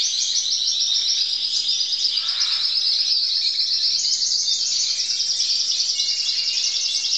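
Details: A crested canary sings in 2012, delivering fast repeated rolls and trills in a high, steady ribbon. A short lower buzzy note breaks in near the middle, then the rapid tour carries on unbroken.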